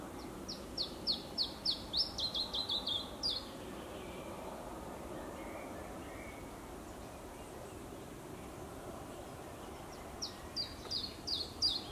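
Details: Possible Iberian chiffchaff recorded in ZH, dated 04/05/22. A fast run of about a dozen high, descending notes at the start, then a long quiet stretch of steady background rush, then a shorter run of similar notes near the end.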